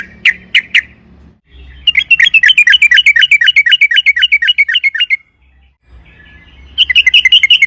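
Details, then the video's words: Trucukan, yellow-vented bulbul, in long rolling 'ropel panjang' song: three sharp chirps, then a fast three-second run of wavering notes, a pause, and another quick burst starting; low hum between. "trucukan gacor ROPEL PANJANG AMPUH pancingan TRUCUKAN AGAR BUNYI"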